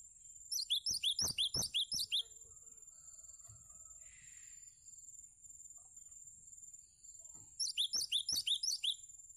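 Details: Song of a cinereous tit kept as a tutor recording for other birds: two quick bursts of about eight ringing, down-slurred whistled notes, separated by a pause of several seconds, over a continuous high electronic tone.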